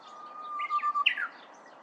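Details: Korean bush warbler flitting through bamboo: a long, level, pure whistle holds for about a second, then two short, emphatic, rising-falling whistled notes end the phrase. Soft background hiss.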